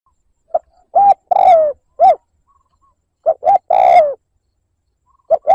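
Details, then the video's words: Spotted dove decoy cooing in the liêu lỡ style to provoke wild birds: soft low coos, a short pair, then a long downslurred hoarse note and a final short coo, phrases repeating twice against silence. "Tiếng mồi cu gáy liêu lỡ gáy gù kích bổi"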